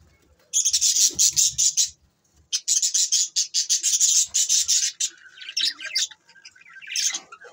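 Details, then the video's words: Pet budgerigars chirping in fast, rhythmic runs of high, scratchy notes, two long bursts of about two seconds each, then softer scattered calls and a rising squeak. "Bueatiful Sounds Bueatiful Budgies birds"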